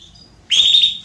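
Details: Female Belgian canary calling to solicit mating: a single bright call rising sharply then holding a steady high whistled tone for about half a second, after a quiet start.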